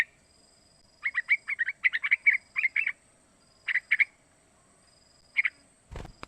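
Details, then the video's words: Three-month-old young yellow-vented bulbul calling, a sound used as a lure so other young bulbuls imitate and sing: clusters of short, bubbly chattering notes with gaps, ending in a sharp click. "Suara Panggilan trucukan muda pancingan trucukan agar bunyi"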